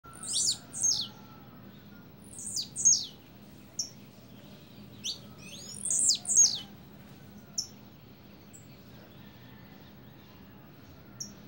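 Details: Blue-black grassquit giving its double song: high, thin buzzy notes sweeping downward, mostly in quick pairs, repeated with irregular pauses over a quiet low hum.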